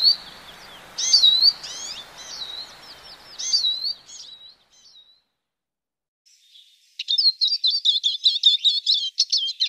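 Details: European goldfinch song: bursts of high twittering, tinkling notes with quick liquid slurs, a pause of near silence midway, then a denser run of rapid chirps.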